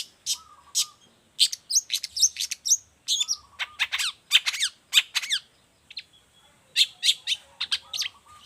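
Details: Long-tailed shrike song suited as a model for training other shrikes: rapid varied phrases of high harsh notes and sharp chips, with fast descending sweeps, plus a low mellow whistled phrase repeated several times.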